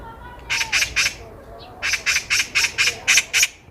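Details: Loud, harsh Eurasian magpie chatter heard along a walking path in Korea: two bursts of rasping squawks, three then seven notes, evenly spaced, with a faint whistle from another bird at the start.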